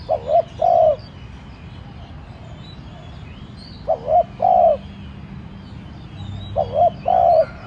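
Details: Decoy spotted dove in gentle urging 'thúc' cooing to get wild doves to call. Three low phrases spaced three seconds apart, each a quick twin note and a longer coo, with faint distant bird chirps.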